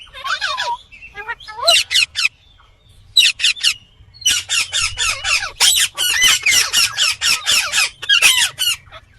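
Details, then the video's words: Indian green ringneck parrot calling in its natural voice: harsh, buzzy screeches given in rapid bursts, about four per second, with short pauses between runs and a few falling notes at the start. "Indian Green Ringneck Parrot Natural sound/Voice"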